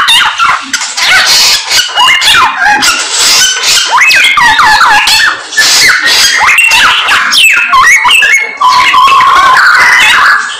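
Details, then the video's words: Samyong bird singing loudly and insistently, a dense, fast stream of varied whistles, sliding squeaks and harsh chatter overlapping with no pauses, recorded indoors. "BURUNG SAMYONG GACOR, ADUHAI SUARANYA MANTAP"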